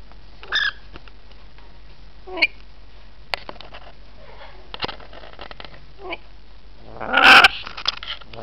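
A rainbow lorikeet gives a few short, rasping squawks spread over several seconds, ending in a louder, harsher screech, with faint clicks and knocks between.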